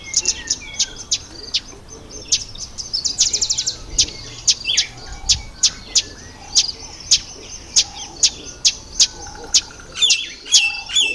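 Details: Red bishop during the October–November breeding season, with many sharp, high chirps and ticking notes in quick, irregular succession, some bunched into brief rapid bursts, over a faint low rumble.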